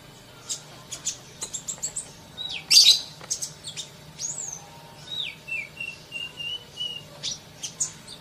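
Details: Fast-singing sunbird giving quick high-pitched chirps and trill bursts, with brief descending whistled notes and gaps of near silence between phrases.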